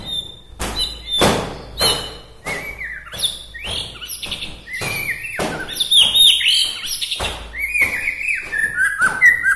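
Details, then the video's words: Local Bahorok white-rumped shama singing to provoke other shamas: sharp clicking knocks at first, then increasingly dense, varied whistled and chattering phrases, descending slurs and high trills building toward the end. "suwara murai batu Bahorok ini mengangkat emosi murai batu lain"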